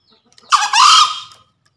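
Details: Green junglefowl giving a harsh two-part crow of about one second, a short rough opening burst followed by a longer buzzy, hoarse note that fades out, recorded as a daily master sound for kept birds newly caught from the forest.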